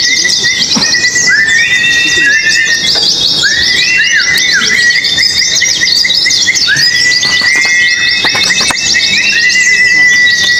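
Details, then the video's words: Oriental white-eyes competing at a singing contest on the hanging poles: dense, fast, high twittering runs with repeated long steady whistles and short rising slurs, several birds overlapping continuously. "pleci ABIRAWA dan R7 adu mekanik di gantangan"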